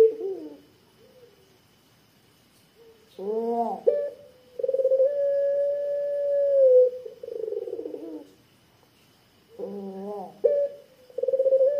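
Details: Barbary dove with a deep, thick-voiced coo used as a lure for other doves. Low hooting coos rise into a long, steady drawn-out kwook note lasting about two seconds. The phrase repeats with quiet pauses between.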